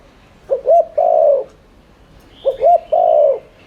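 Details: Spotted dove coo played as a lure to make doves coo quickly: two clean phrases, each a short double coo followed by a longer falling coo, two seconds apart, with a faint high whistle.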